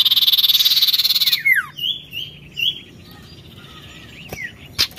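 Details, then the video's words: Oriental magpie-robin in challenging song: a pulsed rasping buzz, then a falling whistle and several soft wavering whistled phrases with scattered clicks. "SIRTU GACOR NARUNG BIKIN EMOSI"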